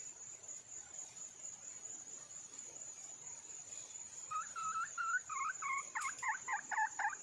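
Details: Red junglefowl hen seeking a mate: after a few seconds of only a high insect hum, a quickening burst of about ten short, clucking notes runs to the end.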